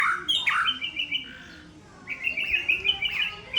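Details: White-rumped shama of the Aceh type, said to originate from Sabang, sings clear whistled phrases that slide and warble at mid-high pitch, with a short pause mid-phrase before a fast run of bright whistled notes.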